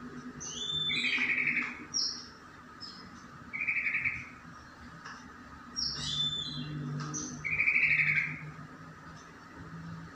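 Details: Yellow-vented bulbul, a male calling a rival: three bubbly, chortling phrases spaced about three seconds apart, with thin high notes between them over a steady low background hiss.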